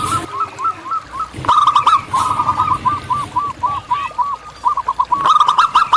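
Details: Active local zebra dove in natural habitat pours out long runs of evenly spaced, rounded coo notes, about fifteen per phrase, almost without pause, with a faint second caller and brief clicks.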